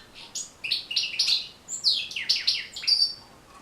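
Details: European goldfinch song used to teach and encourage goldfinches to sing: quick twittering phrases of bright, high chirps and buzzy notes in rapid bursts, with short pauses between groups.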